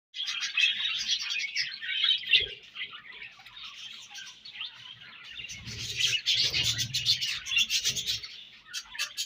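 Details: Several pet budgerigars eating their favorite food, giving dense continuous warbling chatter with rapid chirps and squeaks, some louder bursts, and soft low thumps and rustling of feeding in the background.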